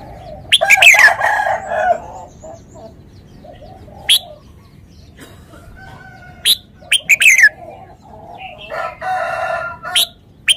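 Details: Red-whiskered bulbul singing: short bursts of loud, bubbly notes sliding down from high to mid pitch, given in separate phrases with pauses, over a low background hum and softer chatter.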